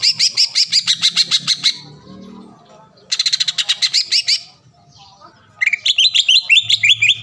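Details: Green leafbird in full song, used as a lure to make a rival leafbird sing at once and become agitated: bursts of rapid, rhythmic high chattering notes, about three per second, separated by short pauses, ending with a varied warbling phrase.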